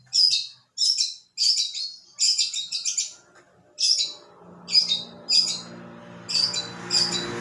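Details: Long-tailed shrike singing persistently: sharp, harsh high notes repeated about every half second, some doubled into chattery phrases, with a low rumbling background noise rising in the second half.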